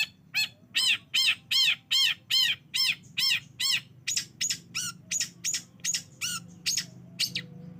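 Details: Lure of long-tailed shrike sound meant to trigger singing in a silent bird: a regular train of loud, grating, rasping notes about two per second, later mixed with shorter scratchy chips.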